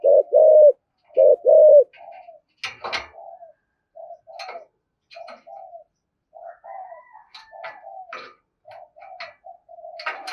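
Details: Spotted dove in the 'thổ' voice, 'thúc gù' cooing style, used to provoke other doves: two loud low coos open, then a long run of faint, softer coos and brief scratchy notes.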